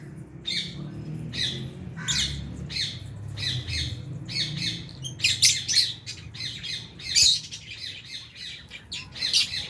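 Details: Aviary lovebirds, including albino and Fisher's birds, at meal time with budgies nearby; harsh, squawky chirps repeat steadily about twice a second, growing denser and louder midway.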